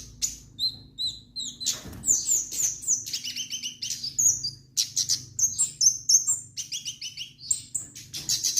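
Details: Orange-headed thrush (kemade) in full, lively song: a fast run of high, sharp whistled and chirping notes, some slurred and buzzy, delivered in quick bursts with short pauses, over a faint low hum.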